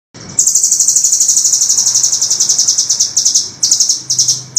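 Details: Velvet-fronted nuthatch singing persistently as a rough, sharp master recording for tutoring songbirds: one long, rapid, high-pitched chattering trill of even notes lasting about three seconds, then short bursts.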